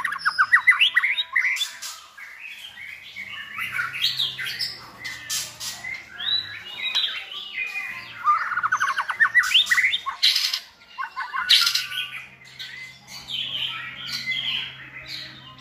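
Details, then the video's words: White-rumped shama song used to train a selected bird to sing many voices; loud rapid rattling trills, sweeping whistles and sharp bursts, continuous and densely packed. "NÀI CHÒE LỬA | Đào tạo THANH cho lửa chuyền"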